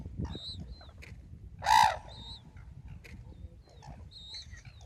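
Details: Single loud trumpeting call of a red-crowned crane at Ito Sanctuary in Tsurui village, 30 November 2016, brief and brassy, surrounded by faint high whistling notes from other birds and a low background rumble.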